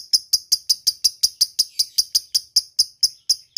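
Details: Lovebird calling a rival with a long ngetik and ngekek chatter, used as a lure recording: a steady run of sharp, high, ticking notes repeated about three times per second, each note clipped and bright, with no other sounds.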